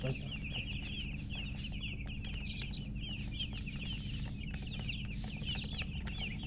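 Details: Newly hatched chicks peeping nonstop, a dense run of short shrill chirps closely packed together, set against a strong constant low hum.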